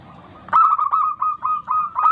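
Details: Local Indonesian zebra dove song, used as a lure to stir lazy doves into singing: after a faint background, a loud run of six short, evenly pitched cooing notes in quick succession, with other doves cooing softly behind.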